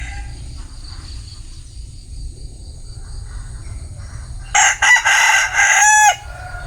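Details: Bantam rooster crowing: after several seconds of low rumbling background, one loud, harsh crow of about one and a half seconds comes in broken bursts, ending with a falling note.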